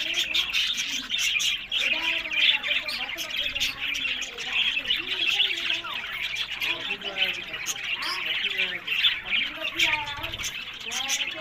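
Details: Budgerigars in captivity at a breeding aviary in Larkana, Sindh, keep up a long busy warble of chirps, clicks and nasal squawks, many birds at once, with short bent whistled notes repeating through the whole stretch.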